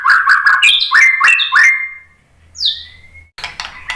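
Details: White-rumped shama song meant to stir other birds to answer. A quick series of chattering, ringing notes with stepped whistles, then a pause, a high falling whistle and a soft rising slur, ending in scratchy clicks.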